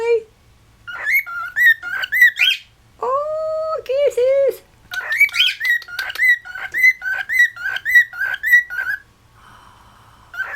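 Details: Pet cockatiels in West Newton, Pennsylvania, one trying to whistle as the others join in: a run of short clear whistled notes around one pitch, repeated in quick uneven bursts, with a longer lower buzzy tone in the middle.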